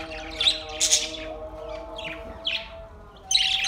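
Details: Budgerigars recorded August 4, 2023, giving a few short, bright, scratchy chirp bursts spaced irregularly over several seconds, set against steady sustained low musical tones underneath.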